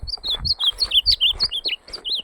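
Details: Ultramarine grosbeak singing in a song contest (campeada): a fast run of about a dozen clear, slurred whistled notes, each rising then falling, packed into two seconds, over soft low thumps.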